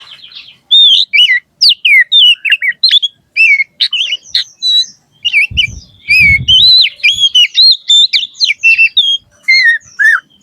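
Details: Oriental magpie-robin in the loud open 'riwik ngeplong' song style: fast, varied whistles, slurs and chattering notes, rising and falling, packed into busy phrases with brief gaps, plus a few low knocking thumps midway.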